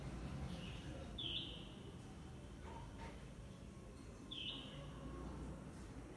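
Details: A red-whiskered bulbul in an urban area with little greenery gives two short, bright chirped calls about three seconds apart, over a steady low rumble of city traffic.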